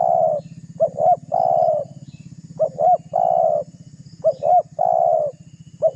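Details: Spotted dove in full song, provoking a rival as a lure: three repeated phrases of two clipped rising coos followed by a sustained burry coo, with a soft low mechanical pulse behind.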